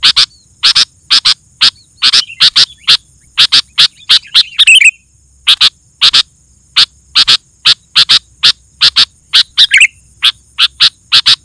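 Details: Long stretch of sooty-headed bulbul song meant to stir other bulbuls into singing: steady series of sharp bright chips, roughly two per second, broken by two short bubbly warbled flourishes.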